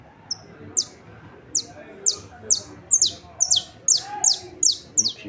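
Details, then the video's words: Saffron finch singing, recorded on 28 March 2026: sharp high descending chips repeated about every half second, speeding up toward the end, with a man talking quietly in Portuguese underneath. "Canário da terra cantando"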